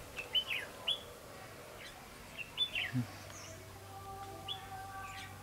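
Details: Red-whiskered bulbul singing as a decoy bird during trapping: short, clear whistled phrases of two or three notes, given in separated bursts, with men talking faintly and a steady hum.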